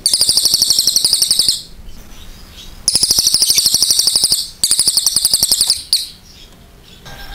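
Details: Cililin singing loud and clear: three long runs of a rapid, shrill, machine-like trill, each one to two seconds long, with brief quiet gaps and faint chirps between them.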